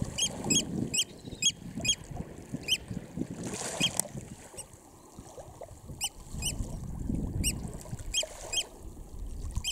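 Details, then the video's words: Oystercatcher chicks, RSPB Snettisham, Norfolk, UK, 19 July 2016: steady runs of short, thin, high peeps roughly two per second, a quieter gap midway, and a low background rumble throughout. "Oystercatcher chicks close up"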